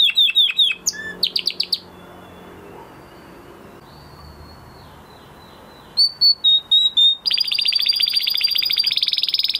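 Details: Male canary singing after the moulting period: bursts of descending whistled notes, a quiet gap, then a rapid rattling trill rising into a sustained buzz.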